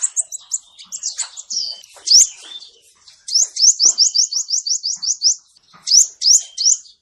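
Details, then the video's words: Male ninja sunbird song recorded for use as a trapping lure: high, thin upslurred notes, a fast even run of about a dozen rising chips in the middle, then short bursts of sharp rising notes. "SUARA BURUNG KOLIBRI NINJA BUAT MIKAT"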